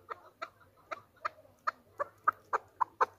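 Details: Chukar partridge (Alectoris chukar), called chakor, kept as a hunter chukar: a moderately quiet series of short clucking chuck notes, about ten in three seconds, growing louder and more even toward the end, over a faint low hum.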